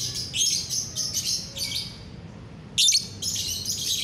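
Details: A lovebird's gacoran chatter on a bright morning, 30 November 2021: fast series of scratchy high twitters, a short pause, then a louder sharp burst and more chattering over a faint hum.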